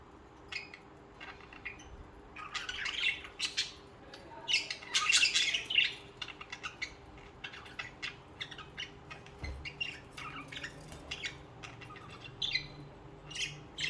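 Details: Budgerigars kept as social pets singing and chirping: a dense, busy chatter of rapid clicks, scratchy warbles and short squawks, densest in the middle, with a low hum throughout.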